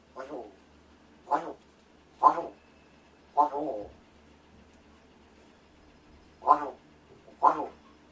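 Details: Rescued pet large-billed crow indoors, doing vocal practice while its owner pretends to sleep: six hoarse, harsh caws spaced irregularly, some with a short rasping tail, in an otherwise quiet room.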